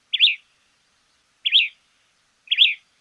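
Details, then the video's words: White-crested Elaenia in Argentina uttering three burry, slightly buzzy notes, each with a quick upward flick, about 1.2 seconds apart, against a quiet background. "Fiofio silbón"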